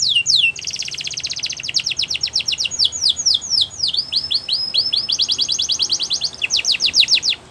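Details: Canary delivering a training song: long rapid trills of sweeping notes, slowing into separate downslurred whistles, then returning to fast rolling trills, steady and loud.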